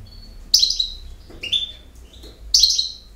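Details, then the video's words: Campero-style song of a European goldfinch: sharp, sparkling high twitters in three short bursts, the middle one a lower buzzy slur, over a quiet room hum. "El Jilguero BiH 18"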